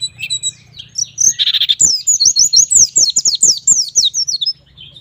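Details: White-eye singing energetically in the 'gacor nembak' manner, aimed at making young birds sing: a few scattered chirps and a short buzzy burst, then a fast, steady stream of high, slurred whistles lasting nearly three seconds.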